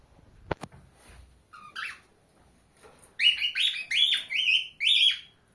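A cockatiel sings a run of bright, warbling whistles, each phrase starting with a quick upward sweep.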